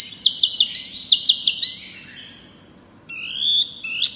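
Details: Small Pygmy cupwing in loud, vigorous song: quick high strokes and short whistled notes in a bouncy sequence, a pause, then a thin drawn-out rising whistle with a sharp upward flick at the end.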